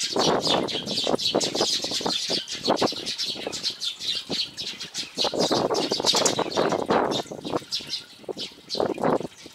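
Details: Rapid high chirping from Eurasian tree sparrows at a homemade feeder on Jeju Island, Sony X3000 recording, running through the whole stretch over repeated low fluttering bursts of wings and movement.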